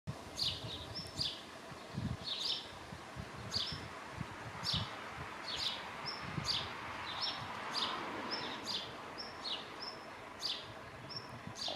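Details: A male black redstart calls persistently from the end of a branch on a pruned tree: a thin, high whistled note mixed with dry ticking clicks, repeated roughly every second over a soft rustling background.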